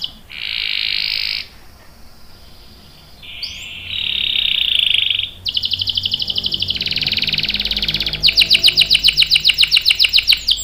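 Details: Canary in full, vigorous song with a long roll: bright buzzy trilled phrases and a short rising whistle, then rapid pulsed rolls that quicken and grow louder toward the end, all high-pitched.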